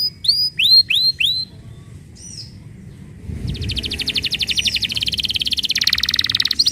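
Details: Canary song used as a lure to get silent canaries singing: a few sharp, high, downslurred chirps, a short pause, then a long, rapid, buzzy high trill that builds in loudness. Faint low background rumble.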